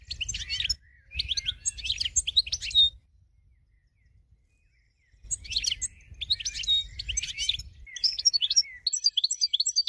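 A goldfinch sings bursts of fast, liquid twittering and tinkling trills, high-pitched and jumbled. A short silent pause splits the two song bouts, over a faint low rumble.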